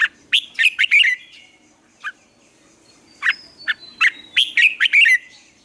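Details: Red-whiskered bulbul morning song: two bursts of fast, warbled, chirpy notes with a single note between, lively and bright over a quiet background.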